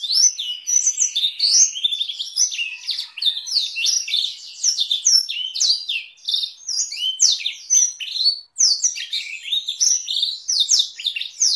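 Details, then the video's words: A canary with a blackthroat roll variation, used as a long training recording for other songbirds, sings a continuous high-pitched stream of rapid rolls and twittering trills, quick sweeping notes following without pause. "Masteran Kenari Durasi Panjang dengan Variasi roll Blackthroat"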